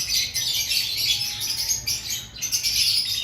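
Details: Shrill, steady twittering and squeaky chatter from several lovebirds kept in an aviary, recorded before the breeding season, calls overlapping with no real pause.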